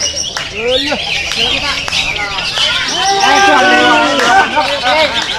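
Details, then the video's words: Greater green leafbird pouring out a lively song of upward and downward whistled sweeps, brief trills and scratchy chips, growing louder toward the end, with clicking and other noise around it. "CUCAK IJO"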